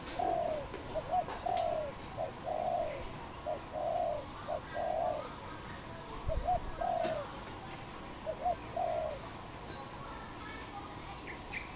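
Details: Cambodian wild dove, 24 April 2020, calling steadily: low, mellow coos in short groups of two or three notes, the groups repeated about every couple of seconds against soft outdoor ambience.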